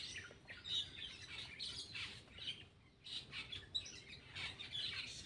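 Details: Scratchy, squawking phrases and brief bright whistles from a Black-winged myna that is eating, coming in rapid uneven clusters with short pauses between, against a steady low hum.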